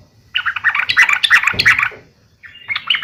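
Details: Yellow-vented bulbul uplik tarung fighting call to provoke rival bulbuls into responding: a dense, slightly harsh, gurgling chatter lasting over a second and a half, followed by a brief trailing phrase.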